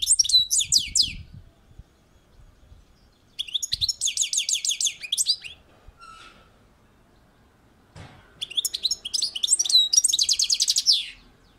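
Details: European goldfinch singing on a balcony: three bursts of quick, high, tinkling twitters and slurred whistles, each lasting about a second, separated by short pauses, with a faint low rumble beneath.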